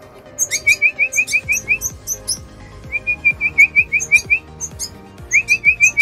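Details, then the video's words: Red siskin singing in bursts of quick, evenly spaced chirps, about three per second, topped by sharp high ticking notes, with faint low rhythmic thumps in the background. "Red Siskin - Siskin Bird"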